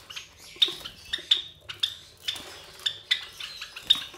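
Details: Three captive Java sparrow chicks about 23 days old, hatched from white Java sparrow parents, give short, sharp high chirps at irregular intervals, roughly eight in four seconds, with soft rustling between them.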